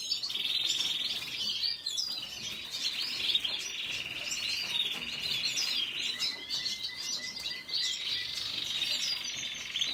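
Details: Red siskin in continuous song: jumbled high twitters over a long buzzy trill, then a lower, rattling buzz entering around six seconds while the twittering carries on.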